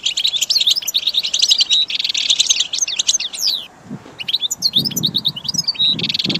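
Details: Caged goldfinch sings for training, with rapid high chirps and thin drawn whistles, then a brief lull with low knocks before lively twittering and trills return.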